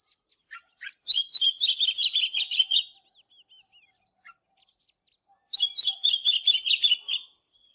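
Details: Oriental magpie-robin in morning song, delivering two loud bursts of quick, high, repeated chirping notes, each about two seconds long, separated by quieter scattered whistles and slurred notes.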